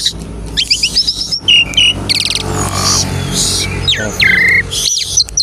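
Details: Asian pied starling song used as a lure to prompt other starlings to sing: loud, varied clear whistles, some rising and some falling, mixed with harsh chattering notes and rapid rattling bursts.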